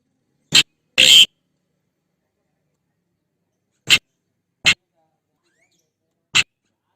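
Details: Javan pied starling calling to its mate: two quick grating notes, then a long pause and three brief clipped raspy chips, widely spaced against a silent background.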